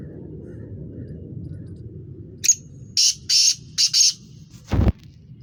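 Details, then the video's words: Black francolin calling: a short burst of harsh, high grating notes in a rhythmic series of four, followed by a low thump, above a quiet rumbling background. "کالا تیتر کی آواز"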